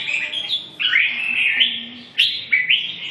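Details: Red-whiskered bulbul singing two bright, warbled phrases. Each opens with a sharp upward slur, then gives a rolling chirpy run, with a short pause between phrases.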